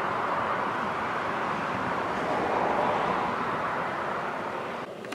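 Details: Constant rushing wind or road roar fills the recording, easing slightly near the end, with no animal voices.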